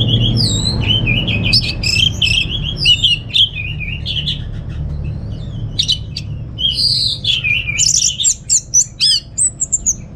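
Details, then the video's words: Caged orange-headed thrush at home in Singaraja, North Bali, singing as a lure for other birds: a long, varied run of clear, high whistled notes, rising and falling, ending in rapid clipped chirps, with faint low background hum. "Suara ANIS MERAH Berkicau"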